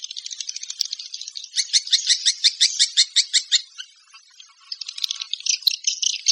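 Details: Rapid pulsed chirps from swiftlets form a high, buzzy rattle that grows louder and more distinct midway, drops into a short lull, then resumes as dense twittering.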